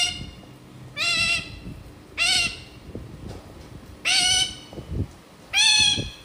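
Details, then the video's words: Pet parrot imitating a goat: four nasal, bleating calls about a second apart, each a wavering harmonic-rich bleat, with low household noise between. "making goat sound"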